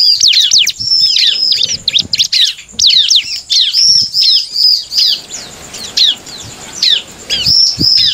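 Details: Bar-winged prinia singing to goad other prinias into answering: bursts of fast, high, sharp chirps and slurred whistles, separated by short gaps, the later phrases sounding more spaced and repetitive.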